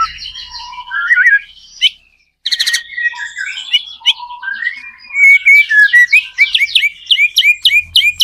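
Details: White-rumped shama lure song, used to prompt other shamas to sing back, opens with varied warbled whistles, pauses, then ends in a fast run of sharp repeated chirped notes.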